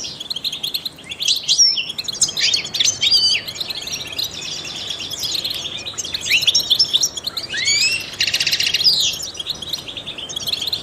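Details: Long, varied outpouring from a trained European goldfinch: chattering high chirps, twangy slurred notes and a buzzy, rasping burst near the end, interspersed with brief pauses and quieter twitters.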